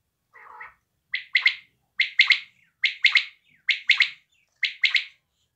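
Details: A quail repeats a sharp, clipped three-note phrase roughly every 0.9 seconds, five times, after one softer, lower opening note.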